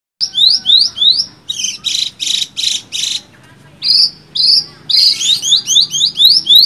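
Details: Javan bush lark singing a rich song used for training other songbirds: bursts of rapid rising whistled notes alternate with harsh buzzy blocks, then sweet rising slurs, a short pause near the middle, faint low hum behind.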